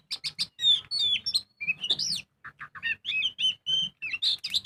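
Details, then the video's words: Energetic ngobra song of a kacer, or Oriental magpie-robin, used as a singing lure: a quick series of high chips, a rising sweeping whistle, low clucks, then wavering whistled phrases and bright trills. "Pancingan burung kacer gacor full ngobra"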